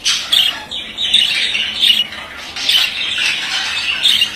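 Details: Steady male budgerigar warble: chattering, raspy trills and squeaks flowing almost without pause, small rising and falling bursts throughout.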